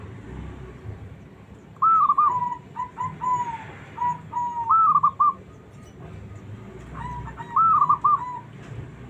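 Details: Zebra dove, a small bird of fighting temperament, singing to stir lazy doves into replying; a long broken series of soft whistled coos, then a second rippling phrase near the end, over steady low-pitched background noise.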